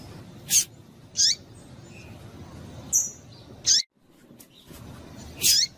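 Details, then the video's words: Calls of a female double-collared seedeater, used to excite males to sing: single high, sharp chirps spaced roughly a second or more apart, some ending in a brief downward slur. "Piado de Fêmea de Papa capim para Esquentar Papacapim"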